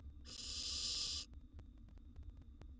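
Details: A wild barn owl nestling in a nest box, swiftly devouring a gerbil, lets out a single drawn-out rasping hiss of about one second. Faint scratchy knocks follow.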